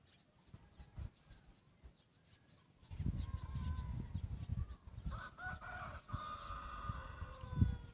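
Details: Second-generation rooster, half red junglefowl, black plumage mixed with red and still moulting, its voice changing slightly, gives a crow from about five seconds in: a drawn-out harmonic call, level then falling, after low rumbling handling noise.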